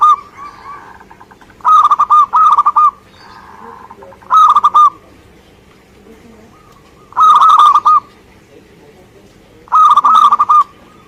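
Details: Zebra dove, a local Indonesian bird, in active song. Four loud bursts of rolling, stuttered coos are spaced a few seconds apart, each a tight cluster of purring notes. Faint background cooing fills the pauses.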